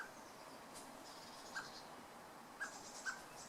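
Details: Male common blackbird calling for his chick: three short, soft, clipped notes at mid pitch, spaced about a second apart, with faint high twittering from other birds in the background.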